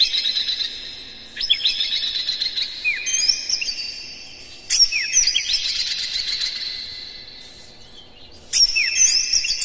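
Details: White-rumped shama song used to stir other shamas: three energetic bursts of varied whistles, downslurred notes and chatter, each tailing off into a sustained tone.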